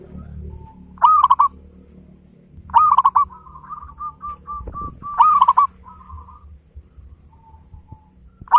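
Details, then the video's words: Local zebra dove, a lively singer with a fine rhythm, used as a lure to make other birds sing. Loud bubbling bursts recur every two to three seconds, with softer quick coo runs between them. "Perkutut lokal gacor suara besar ketukan indah cocok buat pancingan perangsang bunyi"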